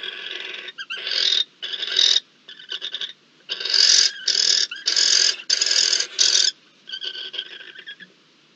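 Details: Barn owl (Tyto alba) at a nest in Riet Vell Nature Reserve, Spain, on 26 October 2023, amid food delivery, copulation and incubation of nine eggs, gives harsh, hissing screeches in broad, noisy, half-second bursts in quick irregular series.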